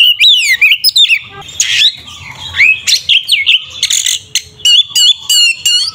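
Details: Oriental magpie-robin, kacer, singing a tarung ngeplong fighting song to provoke a rival; a dense, continuous stream of loud whistled notes, many swooping up and down, with rapid trills and harsh buzzy bits.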